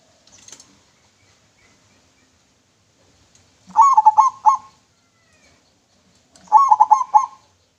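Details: Local zebra dove with a clear voice, sung as a lure: two quick cooing phrases of rapid, rolling trilled notes, about three seconds apart, in otherwise quiet surroundings.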